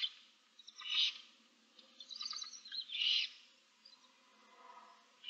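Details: Barn owl owlets in a nest box, seven chicks, 15 March 2024: loud breathy hisses at roughly two-second intervals with softer rasping sounds in between.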